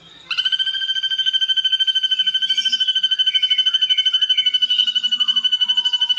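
Ashy drongo giving a fast, steady, pulsing trill on one high pitch, with fainter sliding whistled notes weaving beneath it.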